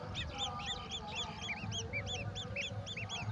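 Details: Golden oriole nestlings being fed a mantis, giving spaced but quick arched chirps at slightly different pitches, a lively twitter over low rumbling background.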